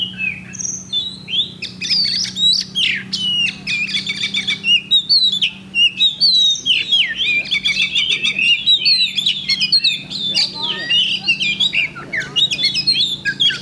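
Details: Competition Oriental magpie-robin recorded Thursday, 8 October 2020, in rapid, unbroken song mixing rising and falling whistles, clipped chirps and harsh trills, packed into dense phrases, with a faint low droning hum beneath.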